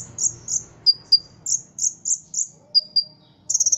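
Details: Trained contest ruby-cheeked sunbird giving loud high squeaky chips at about three per second, broken by two thinner falling whistles, and ending in a fast rattling burst. The background is clean apart from a faint low murmur.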